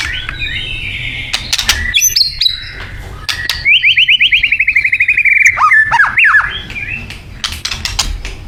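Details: Singing white-rumped shama from Thailand in isian mode: opening clicks and high notes lead into a fast, even trill of rapid repeated notes, then twisting whistled phrases.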